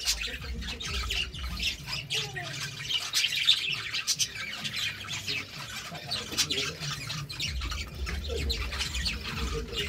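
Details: A pair of budgerigars chattering: dense, scratchy high warbling with short chirps and squeaks, continuous throughout, over a low background hum.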